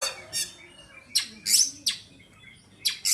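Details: Oriental magpie-robin, a caged bird described as healthy and ready for song competition: harsh, scratchy bursts repeated at uneven intervals, each short and noisy, in a quiet setting.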